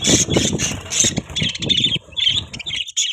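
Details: Budgerigars chirping: dense, buzzy chatter in short bursts separated by brief pauses, with low thumping or rumbling noise underneath.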